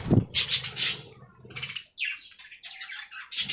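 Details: Budgerigars in an aviary colony, giving bursts of high, scratchy warbling chatter broken by short pauses, with a low rumble at the start and the end.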